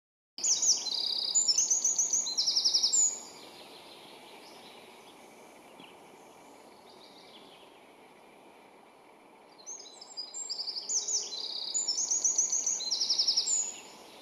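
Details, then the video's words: Eurasian wren at Sipoonkorpi National Park, Helsinki, Finland, on 16 June 2021, delivering two loud, high, rapid bursts of trills and sharp notes, each about three seconds long, over a soft rushing background. "Eurasian wren"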